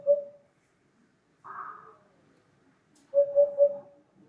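Eurasian hoopoe giving low, hollow hoots: a lone note, then a quick triple "oop-oop-oop". A brief muffled rustle sounds between them.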